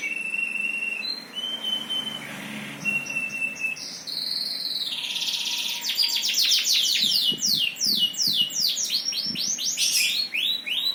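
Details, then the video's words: Steady thin whistles and a buzzy note open a bird's song, which then breaks into fast, high, descending trilled notes. "Burung Pada Berkicau"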